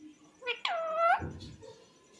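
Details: Talking parrot, said to speak "Radhe Radhe" and "Mithu Mithu" and sing bhajans; one drawn-out, nasal, voice-like syllable with a falling-then-rising tone, a short higher note before it, then a dull low thump.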